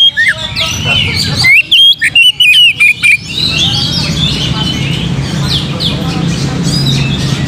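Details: Amid a constant hubbub of chirping birds, an Oriental magpie-robin sings to provoke singing: a series of loud, clear whistled notes and slurs for nearly two seconds, then the background chorus continues.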